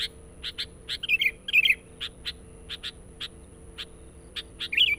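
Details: Insistent lure chatter of a sooty-headed bulbul used for catching wild birds: scattered crisp chips at an uneven pace, interrupted by two or three bright warbling bursts, with a low constant background hum.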